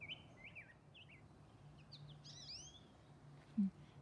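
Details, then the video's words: American goldfinches in a garden give a quick run of thin, wavering, twittery notes over about three seconds, almost question-like, over a low steady hum and a single soft thump. "That sound is a goldfinch sound."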